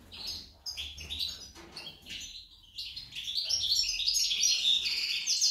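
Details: Female goldfinch, likened to a hummingbird, giving scattered high chirps that pause briefly, then swell into a fast, loud, dense twittering run toward the end.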